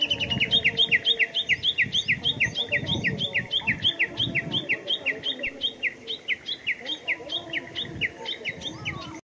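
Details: Japanese bush warbler at Showa Kinen Park, 10 April 2021: a long loud burst of rapid descending chirps, about three each second, gradually slowing and fading, with faint other birdsong behind.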